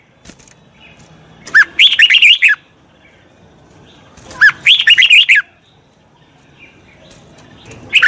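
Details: Red-whiskered bulbul song for training a wild-caught bird: a phrase of rapid, liquid whistled notes repeated about every three seconds, each opening with a lower downslurred note, with a third phrase beginning at the end.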